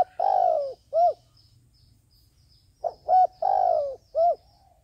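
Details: Decoy dove cooing to call doves for trappers: a drawn-out falling coo and a short hollow note, repeated after a pause with two quick lead-in coos; faint high chirping in the background.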